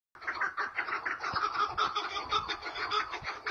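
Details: Chukar partridges calling back and forth in a duel: dense, rhythmic chattering of hoarse clucking notes, steadily repeated several times a second without pause.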